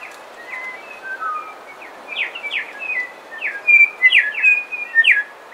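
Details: Coastal dawn chorus with song and calls from bellbirds, partly close: a run of clear whistled notes mixed with quick, loud downward-sweeping chirps, rapid and irregular, over faint steady background hiss.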